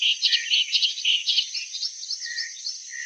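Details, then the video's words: Loud song of a clamorous reed warbler: quick repeated chattering notes at the start that fade into softer, lower phrases, with a continuous high-pitched hiss behind. "Sound of Clamorous Reed Warbler"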